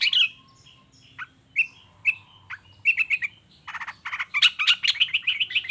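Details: Long-tailed shrike singing in 'toet toet' style as a lure for other shrikes: spaced, sharp downslurred chips, then a fast harsh chattering run of buzzy notes toward the end.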